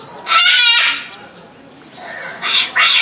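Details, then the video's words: Sulphur-crested cockatoo calling over and over at a small zoo in Omiya Park, Japan, December 2017: a long harsh grating screech, then two shorter rasping screeches after a pause. "鳴きまくりオオバタン（大宮公園小動物園）Cockatoo Chant"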